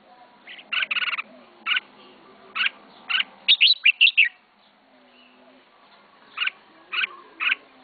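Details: Pet red-whiskered bulbul uttering brief chirpy phrases spaced apart, a rapid burst of bright notes in the middle, then quieter gaps and a few more short calls.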